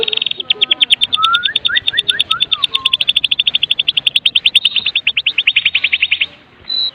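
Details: Lure song of a Medan white-rumped shama in kretekan style with full fill-in: an unbroken, rapidly repeated high chattering trill lasting several seconds, threaded with a short run of lower rising whistles.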